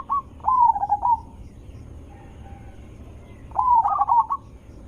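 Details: Loud, melodious zebra dove voice played as a lure to make other zebra doves answer: two phrases of rippling, stuttered cooing notes separated by a near-silent pause with a faint soft coo.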